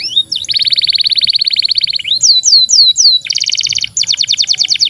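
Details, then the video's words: Canary long song, used to train young canaries and birds that no longer sing: a sustained rapid roll of buzzy notes, four looping whistles, then two more fast trills at different pitches. "SUARA BURUNG Kenari GACOR PANJANG"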